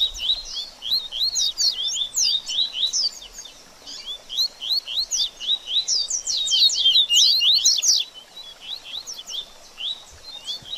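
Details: Double-collared seedeater delivering a baderninha song meant to excite a bird after its moult: quick series of high, thin, down-slurred and up-slurred chirps in loose phrases, louder and denser in the middle, then softer scattered notes.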